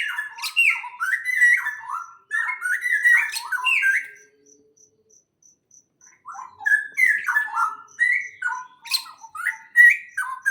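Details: Around a greenhouse, rapid, jumbled chirps and warbled notes from small birds pour out in two bursts around a quiet pause, with a faint steady high ticking underneath.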